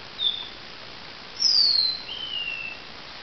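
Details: At dawn a lavender finch gives a short, high, thin note, then after a pause a loud, sharp whistle slurring downward, followed by a softer, drawn-out falling whistle, with faint hiss throughout.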